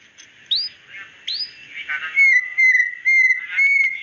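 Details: White-rumped shama, a female calling the male: short upswept whistles, then a steady clear whistled note repeated in evenly spaced pulses of about half a second, with faint chirps behind.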